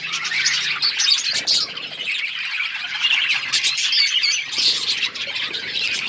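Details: Budgies on February 18, 2024 giving a continuous mix of harsh squawky chirps and twittering warbles from many birds at once, with brief lower rustling sounds between bursts.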